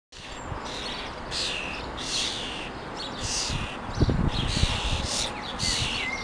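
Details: Common starling feeding her young on the ground in a garden in the morning; harsh, hissing broadband begging bursts of about half a second repeat roughly every second, with soft low rustling and taps.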